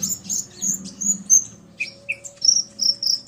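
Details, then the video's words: Common iora male stirred by a female's call, both birds trading calls. Thin, high whistled phrases alternate with a couple of lower rising chirps, over a faint steady low hum. "Burung Konin Pancingan EMOSI agar burung bahan gacor"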